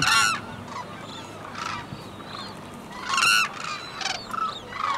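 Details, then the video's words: A female white-naped crane starts the unison courtship call with fast high-pitched short notes, and the male answers with longer, lower pulsed sounds, wings lifted. Loud bugling, trumpet-like calls overlap in bursts about every second over a quiet outdoor murmur. "White-naped Cranes Call to Each Other in Impressive Courtship Behavior"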